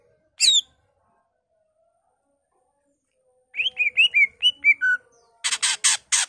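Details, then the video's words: Singing greater green leafbird whose song is said to carry imitations of other birds such as magpie-robin and canary: one high chirp, a long pause, then quick whistled notes stepping down, ending in harsh, broadband chips. "BURUNG CUCAK IJO GACOR EMOSI NGENTROK BONGKAR ISIAN"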